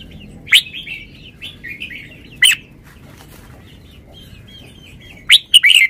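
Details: Red-whiskered bulbul, a cage bird, showing off its song phrasing: three loud, short, bright chirpy phrases about two seconds apart, with soft warbling notes between the first two.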